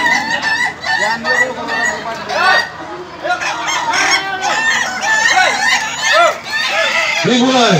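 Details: A dense chorus of crowing ayam ketawa roosters at an Indonesian contest final, full of arched, bouncing notes repeated in quick runs, with louder crows near the end.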